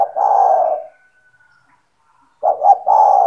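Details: Owner's spotted dove calling keenly, used as a lure for other doves: a long falling coo ending, a quiet gap, then a new phrase beginning with two short notes and a drawn-out coo.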